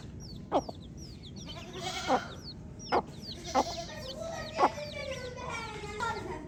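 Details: Baby chicks peeping in a steady chorus of thin, high, downward-slurred cheeps, with sharp tapping clicks scattered through and a low background hum.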